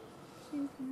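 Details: A courting pair of Galápagos doves near El Garrapatero beach, Santa Cruz Island, Galápagos, on 25 July 2019: two low soft steady cooing notes in quick succession, faint human voices in background.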